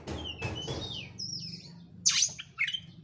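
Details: Kacer (oriental magpie-robin) song used as a lure to provoke a bird to sing, with dense, fast, insistent phrasing; whistled high notes, sliding descending whistles, then a harsh burst and short chirps over low background hum.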